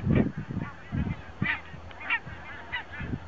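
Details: A large goose flock, thousands of migrating geese resting at Hjälstaviken lake near Stockholm, Sweden, on a very windy 22 September 2009, calls over strong wind with overlapping nasal honks and higher yelps about every half second.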